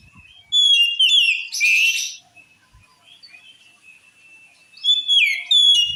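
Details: Oriental magpie-robin singing a phrase said to drive rival magpie-robins into a rage: clear ringing whistles and a harsh rasping burst, a quiet gap, then more fluted descending whistles.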